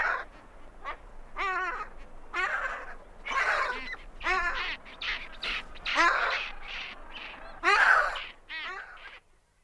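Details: Great skuas invading two adjacent penguin pairs' territories, giving a long series of loud, coarse, squealing and braying calls roughly every second or two, uneven in length and pitch.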